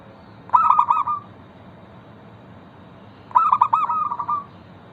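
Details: Zebra dove, a local perkutut, singing as a lure to make other zebra doves call: two cooing phrases about three seconds apart, each a loud stuttered burst of notes running into a softer trill, with a steady low hum behind.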